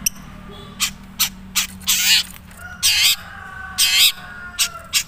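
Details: Long-tailed shrike of the Madura type giving its natural voice: loud, harsh, raspy bursts, some short and some drawn out for about half a second, irregularly spaced, over faint background hum.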